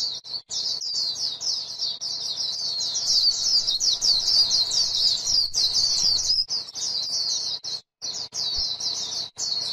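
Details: A white-eye on grassland delivers a nearly nonstop 'líu' style song of very high, fast, tinkling chatter, broken only by a few brief gaps.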